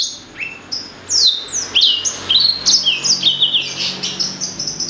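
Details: A blacksang, a blackthroat-sanger hybrid, opens with a few soft notes before launching into a rising stream of bright, sharply slurred high whistles.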